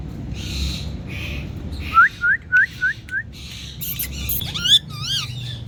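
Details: Indian parrot calling: soft noisy chatter, then five short rising whistled notes repeated about every third of a second, ending with wavering harmonic squawks and a sharp burst.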